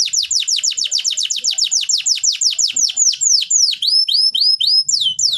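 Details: Canary song to stimulate birds that have stopped singing: quick repeated downward-sweeping whistles slowing into separate long descending notes with thin high overtones.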